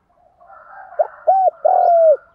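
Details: Spotted dove lure call: a short note, a rounded coo and a long drawn-out falling coo over a soft background hum, part of a calling phrase meant to attract wild doves.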